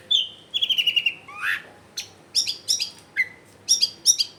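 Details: Long-tailed shrike singing hard, played so silent shrikes will reply, from a densely populated residential area: a quick trilled run of high notes, an upswept slur, then spaced sharp double notes.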